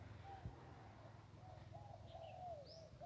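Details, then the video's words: Zebra dove khu ang cooing by the Ping river, Lamphun, Thailand, with several doves of similar small, round, hollow voices nearby; a series of soft wavering coos across the clip, light high chirps near the end, low rumble underneath. "นกคูอ่างเจ้าเสน่ห์ริมปิง ได้นกโล่ง 1กุกขันเพราะๆ"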